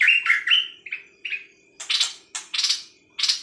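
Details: Nok dok taeng bird opening with several short whistled notes, then switching to four harsh, buzzy chirps spaced about half a second apart.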